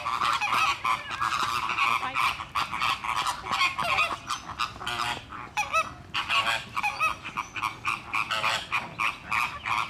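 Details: A dense flock of Caribbean and Greater flamingos gives loud, nasal, goose-like honks and grunts, overlapping in rapid bursts, with fights breaking out.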